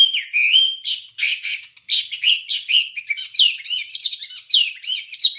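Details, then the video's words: Wambie song from a masteran recording used to train songbirds: a continuous, loud, varied run of chirps, short whistled slurs and warbled notes with barely a pause, the notes climbing higher toward the end. "Ocehan Suara Burung Wambie"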